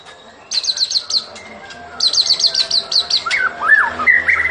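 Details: Fighting-style song of a white-rumped shama: two bursts of rapid repeated high chipping notes, then lower looping whistled phrases, with background noise throughout.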